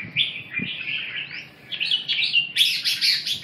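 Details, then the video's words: Red-whiskered bulbul singing loudly and clearly: a flowing string of whistled, slurred notes that builds into a rapid, bright, chattering trill, with little background noise. "Kênh về chim Chào mào"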